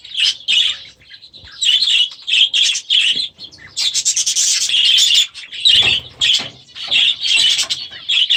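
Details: Last season's baby budgerigars, now grown, in their first days in a new aviary. Loud repeated chirps build into a dense warbling stretch, then break into separate bright calls again.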